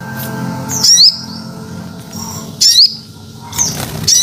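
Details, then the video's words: Crested jay, used as a lure call, giving three harsh bursts, each topped by a sharp, rising metallic whistle, about a second apart, over a low murmuring background. "Suara Pikat Burung Sogon Ontong"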